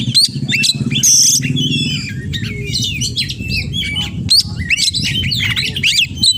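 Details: Kacer (oriental magpie-robin) in 'gacor' song with 'isian' mimicry: clear looping whistles, curling slurs and a short buzzy trill, separated by small gaps, set against a fairly strong low rumbling background.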